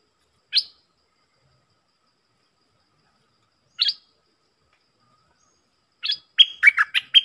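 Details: Stripe-throated bulbul singing: two lone, sharp upslurred notes about three seconds apart, then a fast burst of bubbly, chattering notes that dip and rise near the end. The background is quiet.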